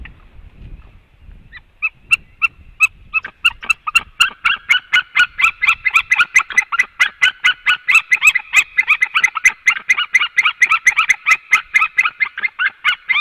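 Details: White-tailed eagles, male and female, calling as they come home to the nest and leave it; scattered yelps build into a long, fast, steady run of loud barking notes, about two per second, one bird overlapping another.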